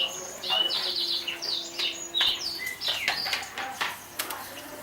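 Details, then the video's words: Prize-winning 2014 Atlantic canary sings short high whistled and buzzy phrases broken by clicks and brief gaps, with a faint low tone in the background. "kicau burung kenari juara 2014"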